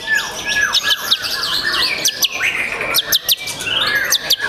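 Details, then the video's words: Young white-rumped shama in captivity pours out sweeping whistles and rapid clicking bursts, sharp chips repeated in quick clusters amid continuous melodic phrases. "MURAI BATU PRESTIS SI MURAI MUDA YANG SPESIAL!!!"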